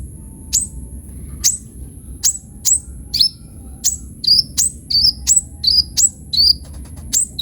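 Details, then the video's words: Kolibri ninja sunbird song: a series of sharp, high descending chirps, then quicker short whistled notes, about one and a half per second. A thin continuous high tone runs underneath. "KOLIBRI NINJA GACOR FULL ISIAN"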